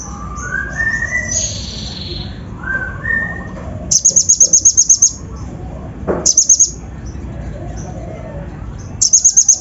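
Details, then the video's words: Kolibri ninja lure song meant to stir other birds, with rough mimicry fill: a soft whistled warble, then three bursts of rapid, very high, evenly spaced chirps. "PANCINGAN KONIN BAHAN FULL ISIAN KASAR COCOK UNTUK MENAIKAN EMOSI BURUNG BAHAN"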